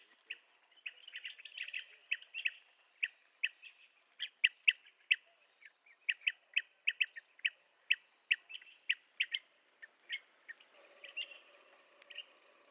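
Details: Blue-tailed bee-eater repeating crisp, clipped chirps roughly every half second, loudest in the middle, after an opening of rolling chatter and before a quieter, lower ending.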